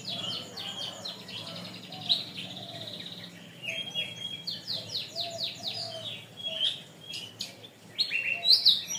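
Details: Canary song from a long tutor recording used to train birds: rapid rolling trills, buzzy sweeps and brief piercing whistles in continuous phrases, growing louder toward the end.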